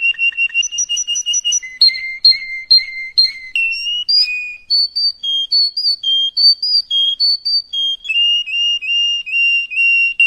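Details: Canary training song, called traynik, played for young canaries to learn from: clear whistled tours of rapidly repeated notes, shifting between pitch levels every second or so, with short trills and steady phrases. No other sounds.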